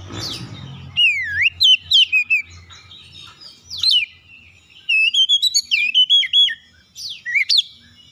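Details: ['Lure song of an Oriental magpie-robin, used to trigger rival magpie-robins to sing: loud swooping whistles and sharp downslurs in bursts, a brief gap, then a quick series of clipped whistled notes and two final upsweeps, with a low rumble at the start.']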